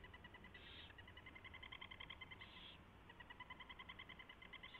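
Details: Early-morning nest scene of 24 February 2016 with owls feeding on a delivered mouse; rapid, rhythmic twittering chatter runs almost throughout, broken by two brief harsh hisses, low hum underneath.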